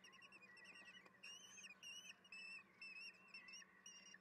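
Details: Common kestrel chicks at the nest during a wild feeding, 10 June at 18:30; quiet, thin, high wavering whines in short repeated bursts, over a steady low hum.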